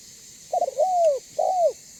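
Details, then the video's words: Banggo-style spotted dove call used to draw other doves in: a quick broken stutter sliding into a long arched coo, then another bowed coo after a short pause, with a quiet background. "Suara Burung Tekukur BANGGO Gacor Membuat Terkukur Lain Auto BUNYI Dan MENDEKAT !!!"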